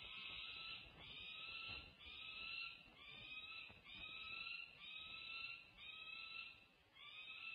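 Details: Peregrine falcons at a UC Berkeley nest, 1 June 2024. The adult female feeds her young daughters as the male drops in from a perch above to join the meal. Harsh, drawn-out wailing calls repeat about once a second.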